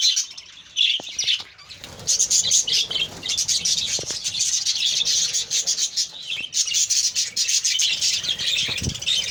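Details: Kept budgerigar colony giving dense high chirps and warbling chatter, with quick rattling clicks throughout and a couple of low thumps.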